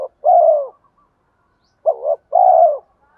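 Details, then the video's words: Spotted dove lure bird with thổ voice, giving a long low falling coo, then a wavering short note and another long coo, clear against a quiet background. "chim cu gáy giọng thổ pha thúc đấu rút bổi nhanh về"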